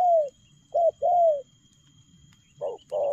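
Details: Spotted dove coo phrases in the fast 'lèo gù' style: a drawn-out falling coo, then a short and a longer hoot, another pair starting after a pause.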